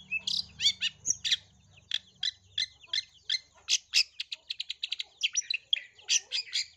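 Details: Long-tailed shrike singing as a lure for other shrikes, a run of harsh rasping notes and chattering chirps that speeds into a rapid series, with a low hum at the start.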